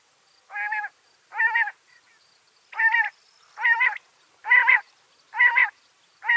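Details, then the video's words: Female common quail calling, a sound used by hunters to lure quail: short, harsh, buzzy notes rich in overtones, given singly about once every second in a steady series of seven, with a quiet background. "مادہ بٹیر کی اواز quail sound batiar Ki Awaz"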